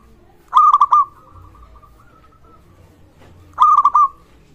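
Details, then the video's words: Zebra dove of a local Indonesian type, calling freely, meant to prompt lazy or silent doves to call. Two clipped four-note coo phrases sound three seconds apart, linked by a faint level whistle-like tone. "perkutut Lokal gacor suara ini sangat cocok untuk masteran pancingan semua jenis burung perkutut"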